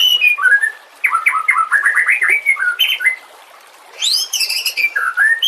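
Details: White-rumped shama song meant as a training master for other songbirds: sweet descending whistles, a fast series of upslurred notes, a pause, then loud high ringing phrases and a lower rising whistle.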